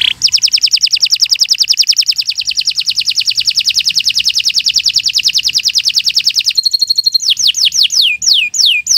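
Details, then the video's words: Long continuous morning song of a canary, offered as a model for training other birds: a very even, rapid rolling trill lasting over six seconds, switching to a sequence of sharp, falling whistled slurs. "Kicau Burung Kenari 144 II LUAR BIASA GACOR PANJANG Cocok untuk Masteran"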